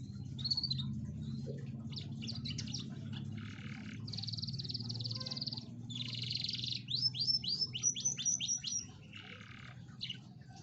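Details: Canary singing, used as a lure to get a lazy canary to sing: an opening whistled note, then long buzzy rattling trills and a fast descending series of short sweeping notes, over a steady low hum.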